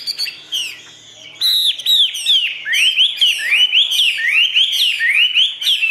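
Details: Chinese hwamei in a cage, "ngũ trường" singing: after a short quiet gap, a strong string of looping whistled notes, each sliding down and bouncing back up, rolling on roughly every half second.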